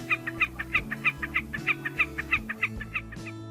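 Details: Catbird mimicry, its repertoire including Sora rail, Western meadowlark, Wilson's snipe and Pacific tree frog imitations that may prove to females he has survived many breeding seasons: quick, evenly spaced two-part chips about three per second, with music playing underneath.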